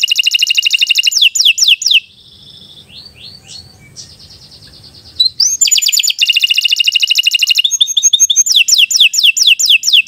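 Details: Canary singing a long, non-stop 'gacor' song meant as a master recording for training young birds: rapid trilled rolls and repeated downslurred notes, broken by a brief quieter stretch of soft twittering before the loud trills return.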